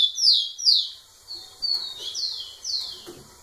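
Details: Rufous-collared sparrow singing to the female at close range: two strong, falling whistles, then four gentler descending whistled notes, evenly spaced.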